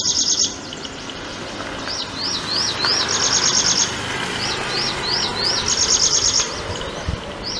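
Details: Prinia calling: a quick run of short upslurred high notes repeated about three per second, alternating with bursts of fast, dry, buzzy rattling trills pitched even higher, over faint steady outdoor background noise.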